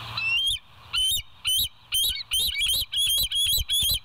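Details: Bald eagle calling at the West End nest, live cam recording from 28 August 2023, 7 a.m.: a long chattering series of about eight piercing, high piping notes with sharp upward inflections, delivered roughly twice a second over low hum.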